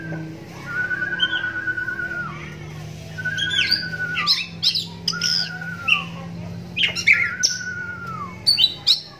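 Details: Oriental magpie-robin, blind in its right eye since young, sings as a lure for other magpie-robins: long slurred whistles dipping downward alternate with bursts of sharp high chips and trills, under a steady low hum.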